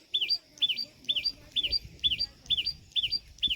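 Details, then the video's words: Common tailorbird repeating its bright chee-up call, used for contact and to warn of danger: eight clean, high, zigzagging notes spaced evenly about half a second apart, against a quiet background. "Sound of Common Tailorbird | Common Tailorbird Call | दर्जिन चिड़िया की आवाज | Tailorbird Chirping"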